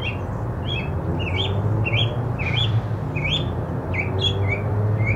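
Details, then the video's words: Mockingbird singing, a series of sharp upslurred and hooked notes repeated several times, shifting to new phrase types partway through, with constant low rumbling background noise underneath. "mockingbird singing"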